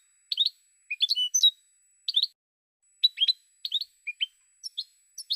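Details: Goldfinch song recorded in 2016: a looser, varied series of separate chirps, some clipped and some drawn out or rising, spaced irregularly across five seconds with short silences between.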